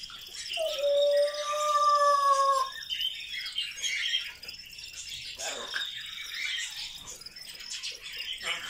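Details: Grey parrot talking non-stop all day: a clear whistled note held about two seconds with a higher overtone above it, followed by a quieter run of raspy chattering mumbles and clicks.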